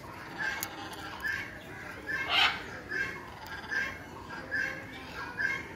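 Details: Red macaws in Sri Lanka, April 4, 2023, give harsh, raspy squawks about once a second, with one louder, grating screech midway; faint background hiss throughout.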